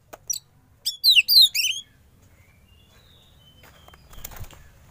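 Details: Young wild-caught Oriental magpie-robin during sauna therapy, giving a short burst of high, rapid, slurred whistles and chirps lasting about a second, followed by near silence and a faint rustle.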